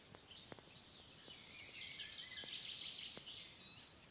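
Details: Icterine warbler in song at Pälkäne Salmentaka, 12 June 2017. A dense, rapid, high-pitched stream of varied chattering, squeaky and twittering notes pours out continuously, punctuated by a few soft clicks or taps.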